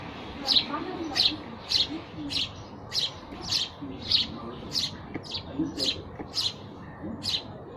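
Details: Steady chirping calls of sparrows: single sharp chirps spaced about every two-thirds of a second in an even, repeated sequence, with quiet low rumble behind.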